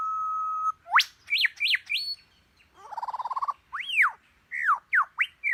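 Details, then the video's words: A bird mimicking other birds' calls: a long steady whistle, then quick upswept and arched whistles, a fast buzzy trill, and loud sharply bending whistled notes in a varied sequence in quiet surroundings. "Suara burung apa saja dia pandai menirukan nya"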